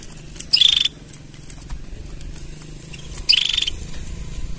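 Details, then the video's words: Canary mating sounds: a sharp, pulsed high trill lasting under half a second, repeated once nearly three seconds later, against a low droning background. "Tone Up Your Canary's Singing with These Mating Sounds!"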